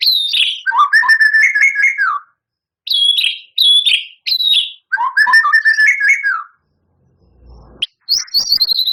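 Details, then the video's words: White-rumped shama, a champion singer with long mimicry fills, alternates clear whistled phrases with tumbling rapid trills, several phrases spaced by brief silences, ending in a high sustained run. "Suara Murai Batu Juara,Tembakan Murai Batu Gacor Full Isian Kasar Panjang Mewah"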